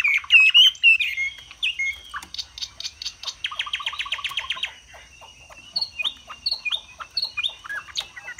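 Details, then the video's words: Caged Chinese hwamei from Vietnam in fanning display, singing loudly: clear whistled opening, a harsh buzzy rattle in the middle, then a steady series of repeated high upslurred notes. "Họa mi xòe vip, xòe bền, hót cao cầu"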